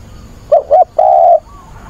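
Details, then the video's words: A single phrase from a spotted dove decoy calling for a mate, dated 24 August: two quick, clipped coos followed by one long, even, mellow coo, then quiet. "Cu mồi gáy gọi tìm bạn, giọng bổi kích thích bổi lỡ"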